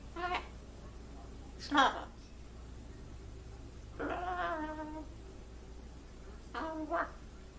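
A blue-and-gold macaw talks in four short, voice-like bursts. A longer, wavering drawn-out one in the middle sounds like mimicked crying. A low hum runs beneath.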